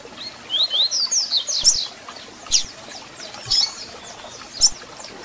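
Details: High, rapid Double-collared seedeater song, used to warm up a captive bird, alternating slurred whistled phrases with single bright chip calls spaced about a second apart, light clicks and hiss underneath.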